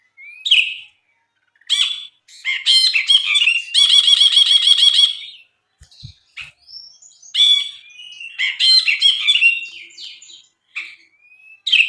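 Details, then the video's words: Brinji bulbul song in a songbird tutor recording: a long sequence of sharp rising chips, harsh chatter and a fast rattling buzzy trill, with brief pauses between phrases. "MASTERAN BRINJI GACOR"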